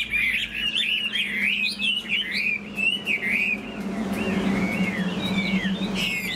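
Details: A caged Chinese hwamei, spread-tailed and flicking its wings, sings rich, warbling whistles that run strongly at first, then thin out into scattered, softer phrases over a low steady hum.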